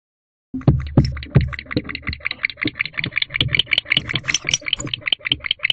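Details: Male barn owl in a nest box at 3:27 am on 10/3/23 courts his mate, who joins him after his calls. He gives a fast, raspy chittering of harsh clicks and rattles, two or three a second, with a few dull thumps early on.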